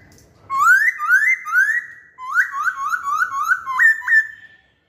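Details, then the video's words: Masked laughingthrush lure song made of loud rising whistled slurs repeated in quick succession, about three in a first phrase and five or six in a second, ending with sharper upslurred notes. The background is quiet. "Kicauan Poksay Hongkong"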